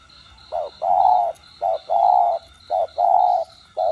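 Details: Spotted dove cooing in a standard-voice style, played to stimulate captive doves to call: short soft hoots alternating with longer, steady low coos, with a faint, steady pulsing high buzz behind.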